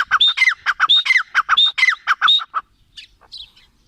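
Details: Grey francolin (teetar) calling in a loud, rapid series of harsh, ringing notes, each with a high whistled upward stroke and a dropping tail, about a dozen notes in 2.5 seconds before trailing into quieter chirps.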